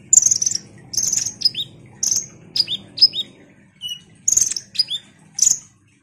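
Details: Lure recording of an actively singing ruby-cheeked sunbird, meant to excite other sunbirds: loud, piercing high chirps alternating with quick downward-slurred whistles, about one burst per second, over a soft low drone.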